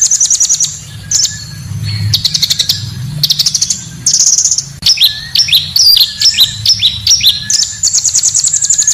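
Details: Pancawarna bird lure recording: high buzzy trills alternating with quick bursts, then a busy sequence of sharp rising and falling chirps, closing with a high trill, faint low hum behind.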